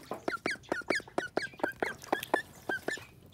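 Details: Angry call duck giving a rapid run of harsh, nasal quacks, about five per second and evenly spaced, each a loud burst, close and clear, with no other sounds.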